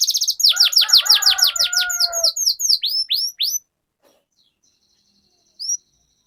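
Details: Canary rolling song of the 'ngerol' type, played to coax other canaries into singing: a rapid burst of downward-sweeping notes with a soft buzzy undertone, slowing and stopping, then one lone high note after silence.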